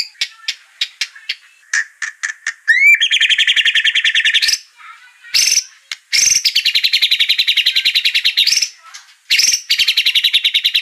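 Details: White-rumped shama song played to provoke another bird into singing: scattered sharp chips, a rising whistle, then long rapid buzzy rattles broken by short pauses and high clipped notes.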